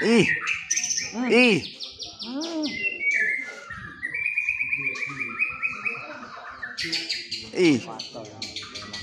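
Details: Performing white-rumped shama in a bowing display, singing fancy isian fill-ins: a steady series of clear whistled notes and rapid trills in a long phrase, broken by loud human voices.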